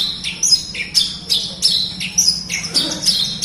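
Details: Horsfield's bush lark singing as a prompt for birds reluctant to sing: loud, clear high phrases of chirps and downslurred notes repeated roughly every half second, with a faint low hum.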